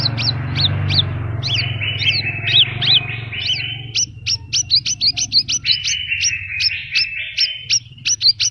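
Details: Horsfield's bush lark in full gacor song with isian phrases: a run of sharply rising and falling whistled notes over a held buzzy tone, with rapid repeated high ticks later and a low rumble early on.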